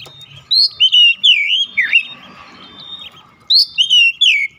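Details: Oriental magpie-robin singing a lure meant to spur other magpie-robins into full song: two loud bursts of clear, swooping whistles and twisting slurs, a softer rough passage between them.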